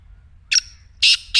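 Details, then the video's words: Black francolin call for getting a silent partridge to call: one short harsh note, a pause, then two loud, grating notes close together. "کالے تیتر کی مدھر بولی | اب خاموش تیتر بھی بولے گا/ Black Teetar Voice"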